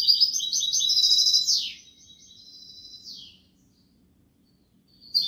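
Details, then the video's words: Goldfinch song in the Kobia Malaga style: a fast bright trill ends in a sweeping downward slur, then a long, thin, drawn-out whistle that also slides down and fades to silence. "تغريد الحسون كوبية ملقا canto chardonnert"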